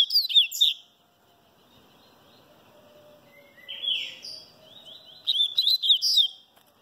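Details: Papa-capim baiano (Sooretama seedeater) singing as it sunbathes: high twittering notes, a soft low hum in between, then a rising buzzy phrase and a final fast warbled chatter.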